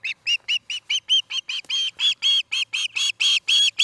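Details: Close osprey at its nest in Charlo, Montana, captured by a nest cam on an August 2018 evening, giving a loud, insistent string of clear whistled cheeps, about four per second and steadily strengthening.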